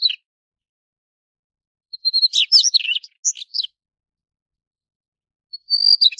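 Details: Daurian redstart: a short whistle, then a longer run of varied chattering and chirping notes with brief gaps, and finally another thin whistle starting the next phrase.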